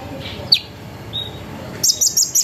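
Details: Sunbird lure song meant to make other sunbirds join in: one sharp downslurred chip, a faint thin whistle, then a quick burst of very high trilled notes.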